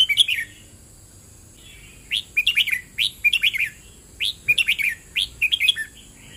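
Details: A red-whiskered bulbul delivers its double-rik song. One whistled phrase is followed by a pause, then a rapid series of about six lively phrases, each a rising note followed by quick chirpy notes. A constant faint high hiss runs behind.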